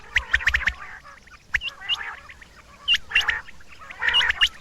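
Rain quail males give sharp, metallic doubled notes in quick bursts of four or five, each burst a second or so apart, over faint background hiss.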